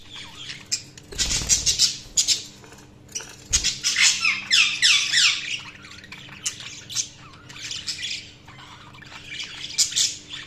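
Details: Budgerigars chirping: dense bursts of high, scratchy warbles and squawks with fast repeated chirps, several birds calling over one another, a faint steady hum underneath and a couple of low thumps.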